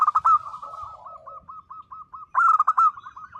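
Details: Energetic local zebra dove sings a style used to provoke silent birds to answer: a loud stuttered coo burst, a steady row of soft evenly spaced coos, then another loud quavering burst.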